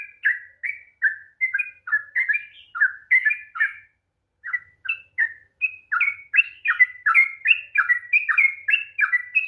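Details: Sooty-headed bulbul in long 'ropel' song used to coax a lazy bird to sing: fast chattering whistled phrases, a gap of about half a second near four seconds, then a quicker rolling run of notes. Clear recording.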